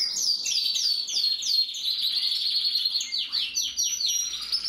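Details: Gloster canary singing a continuous, loud, high warbling song of rapid repeated rolling trills and descending sweeping whistles, with phrases changing every second or so and no pauses throughout.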